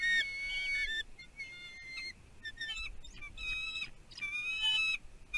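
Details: Bald eagles at a nest on Catalina Island, California, USA, in 2023, the male bringing a fish that the female takes. Loud squeaky, harmonic-rich whistled calls come in uneven bursts over background hiss.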